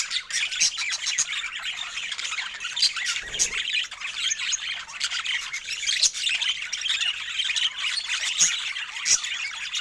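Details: Flock of budgerigars chattering happily over fresh food in natural Scandinavian light, a continuous bright warble of scratchy chirps and squawks broken by a few sharp clicks.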